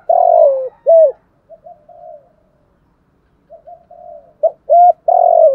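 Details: Morning cooing of a spotted dove lure bird calling a flock: loud drawn-out hollow coos, then quieter soft stuttering notes, then the strong coos return; no other sounds.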